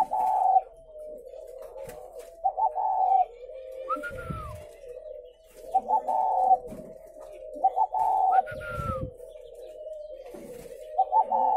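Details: Caged spotted doves at a farm in Ba Vì district, Vietnam, coo in a steady series of hollow, stuttering phrases. Higher downslurred notes come from a second bird, with occasional soft knocks and rustles.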